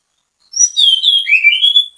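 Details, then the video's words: Orange-headed thrush in full song, used as bait to prompt others of its kind to sing: a bright, tumbling phrase of high whistles sliding down, then rising again in clear, thin notes. "ANIS KEMBANG GACOR MEMBUAT ANIS KEMBANG IKUT BUNYI, PANCINGAN ANIS KEMBANG"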